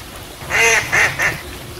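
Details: Ducks on a pond: three nasal quacks in quick succession, the first longest and loudest, over a steady hiss of water.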